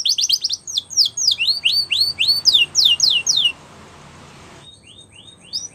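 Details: Belgian canary singing for the training of young canaries: quick trilled start, then loud slurred rising whistles repeated steadily for about three seconds, a pause with faint hiss, and a few soft notes at the end.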